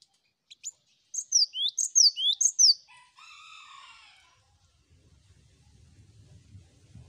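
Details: Cinereous tit ombyokan master recording for prompting singing: a string of high clear whistled note pairs, falling then rising, followed by a coarse buzzy rattling call and a faint low rumble afterwards.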